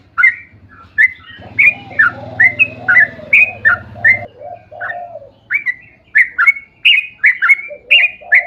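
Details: Long-rolling song of a sooty-headed bulbul, played to prompt other bulbuls to sing: a steady run of short liquid whistled phrases, some rising, with lower warbled notes beneath and a low droning hum in the first half.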